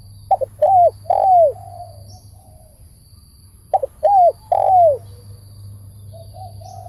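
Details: Spotted dove, a decoy for trap-cage luring, delivering its coo phrase twice about three and a half seconds apart: quick paired notes, then two smooth sliding coos; low hum underneath.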